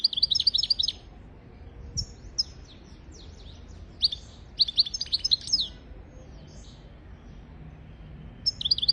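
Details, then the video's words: European goldfinch song used for teaching young goldfinches and canaries to sing: bursts of bright, tinkling, twittering notes high in pitch, separated by short pauses, with quiet background. "تغريد طائر الحسون حفاضة لتعليم طيور الحسون والكناري بدون أخطاء"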